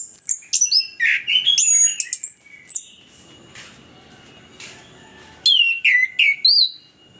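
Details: Orange-headed thrush singing, played as a lure to make lazy birds sing: a rapid string of loud varied whistles and sharp chirps, a lull of soft hiss, then more clear descending whistled notes.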